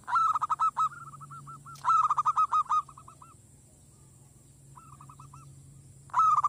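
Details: Village zebra dove calling to lure wild doves and make them aggressive. Loud staccato coos in quick bursts of five or six notes, followed by quieter trailing rolled coos. Steady low hum underneath.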